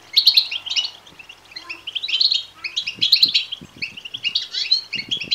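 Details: European goldfinch chicks calling to be fed, used to encourage males to sing and mate; loud, shrill chirps in quick, jittery runs with brief gaps, soft tapping underneath.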